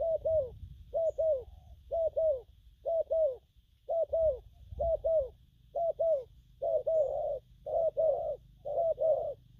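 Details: Young spotted dove giving steady gù lăn and gù phóng cooing: evenly spaced paired hollow coos, about one pair per second, ten pairs in a row, with a soft background hum.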